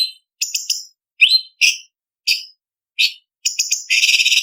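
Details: Blue-winged leafbird (cucak cungkok) contest-training song with varied 'isian' fill-ins: bursts of fast high chips, single rising whistles and clipped notes with short pauses, ending in a long rapid trill of piercing notes.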